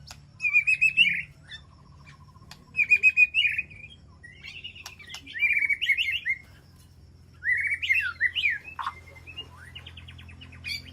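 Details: White-rumped shama in an aviary sanctuary calling to its flock, with short bursts of trilled warbling separated by pauses of a second or two, later some sharp slurred whistles, over a low background hum.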